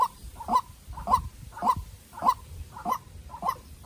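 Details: Decoy White-breasted waterhen, young and farm-bred, sparring vocally with a wild bird; seven emphatic honking croaks at an even half-second rhythm, each trailed by a quieter second note.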